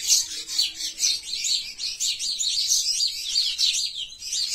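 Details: Several sparrows, pichuka in the local name, squabble with continuous high shrill chirping, notes tumbling over one another without a break.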